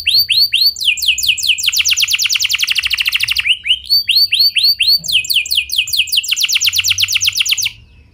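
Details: Canary giving a clear, rolling lure song to get other canaries singing: long fast trills of sharp descending notes, each phrase speeding up, separated by short upswept chirps.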